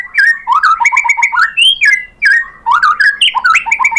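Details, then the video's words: Loud, rich song of a white-rumped shama used as a lure to draw replies: fast, varied whistled phrases with sharp high clicks, brief pause near two seconds, then another tumbling run of slurred notes. "KICAUAN MURAI BATU bikin NYAUT ikut GACOR BONGKAR MATERI ISIAN ¦ PANCINGAN MURAI¦ SHAMA BIRD"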